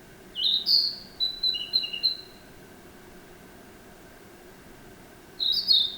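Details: Song of a Narcissus flycatcher: a sharp rising opening note followed by a run of short, evenly spaced whistles at two pitches, then a long quiet gap before the next phrase begins.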